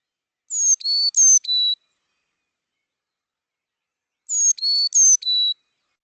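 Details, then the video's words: Carolina chickadee giving its classic song, said to sound like its name "chick-a-dee": two phrases, each of four clear, high whistled notes alternating higher and lower pitch, repeated after a few seconds, with no other sounds. "But the classic chickadee song, they do say their name."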